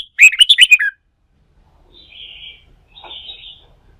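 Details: Wild-caught red-whiskered bulbul, fired up for song-fighting training, gives one fast, loud phrase of five bouncy chirps, followed by two soft, thin warbles.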